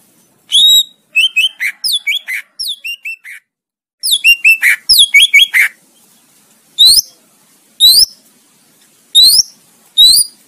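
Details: Varied rapid song of a greater green leafbird, used for training competition songbirds: tumbling strings of clear, sliding whistles, then widely spaced single high upswept notes.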